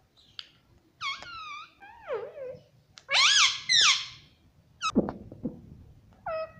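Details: Talking pet parrot imitating human speech, voicing whistled, speech-like wavering syllables with sliding pitch, some phrases rising and falling, separated by short pauses, indoors.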